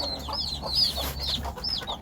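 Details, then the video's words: Hen calling her chicks: a few low, soft clucks under a busy stream of high, arching whistled peeps from the chicks. "암탉이 병아리 부르는소리"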